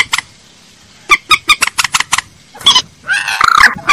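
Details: Common moorhen, as played for luring: an evenly spaced series of loud, abrupt clucks, then a rising, nasal, squawking call and a drawn-out harsh honk to finish.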